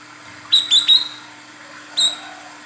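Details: Female olive-backed sunbird calling the male, a lure sound: three quick high rising chirps followed after a pause by one more, over a low steady hum.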